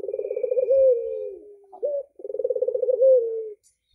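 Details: Albino red-eyed Barbary dove singing vigorously with a sweet voice: two rolling coos, each a rapid throbbing pulse that slides into a smooth, drawn-out falling note, separated by a short upslurred note.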